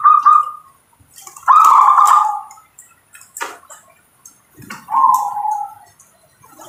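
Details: Cooing song of a local zebra dove: three rolling, slightly descending coo phrases about a second long, separated by pauses, with brief clicks and rustling noises between them.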